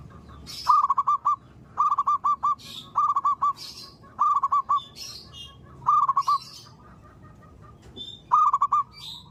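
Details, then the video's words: A zebra dove calls in the morning with a steady series of rolling phrases, each a fast stutter of four or five soft cooing notes, repeated roughly every one and a half seconds. Thin high chirps from other birds sound between them. "Pancingan suara burung perkutut gacor | zebra dove still calling every morning"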